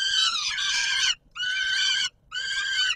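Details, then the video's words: Feeding-time calls of a peregrine falcon at the Palace of Culture and Science, Warsaw, Poland, 17 July 2022: three drawn-out, hoarse wailing screams, each about a second long and separated by short gaps. "Sokół wędrowny PKiN Warszawa - Chłopaki wstawać kolacja"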